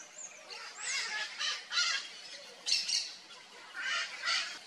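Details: Nesting red-and-green macaw calling with a run of coarse, grating squawks repeated roughly every half second to second, loudness rising and falling, over a steady hiss of natural background.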